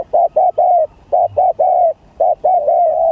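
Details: Spotted dove contest song of the gagap, tindan or klantan style: loud, closely spaced mellow coos in three-note groups, two short notes then a longer drawn-out coo, repeated three times without pause.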